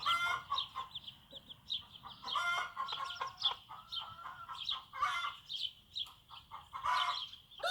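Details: Backyard small farm, a bantam mom leading her chicks on their first steps outside; busy stream of bright chirping peeps with several loud, grating clucks and short clucking runs throughout, sounds coming in quick irregular bursts.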